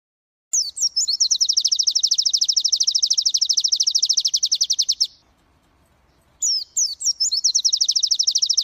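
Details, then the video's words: Caged white-eye of the prestigious G12/G16 contest class, kept as a master song for training, pouring out long rapid high trills of repeated chattering notes for about four seconds, a brief silence, then another fast high trill. "Masteran Pleci Kusus G12 & G16 materi menonjol"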